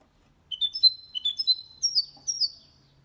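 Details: Goldfinch-canary hybrid sings brief clusters of rising twittered notes, several quick phrases climbing in pitch, clear and high; recording made to prompt males to sing and teach young birds.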